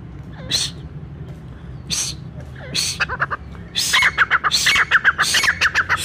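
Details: Brown francolin whose call reportedly gathers all the francolins of the forest, for hunters: a few isolated harsh bursts, then a quickening series of short whistled notes that grows louder.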